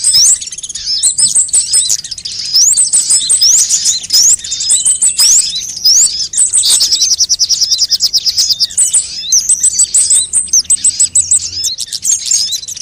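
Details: Sunbirds of various kinds, compiled to lure birds and prompt them to sing: dense high chirps, rising whistled sweeps early on, then fast rattling trills of evenly repeated notes from overlapping callers.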